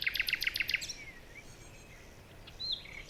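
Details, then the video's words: Forest birds calling in the morning: a quick run of six evenly spaced sharp chirps, then thin gliding whistles and a faint rising note over soft background hiss. "Morning birds chirping sounds"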